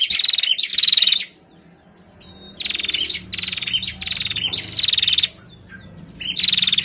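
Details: Female bar-winged prinia giving loud, buzzy rattling bursts with a thin high whistle inside, about seven bursts separated by short pauses.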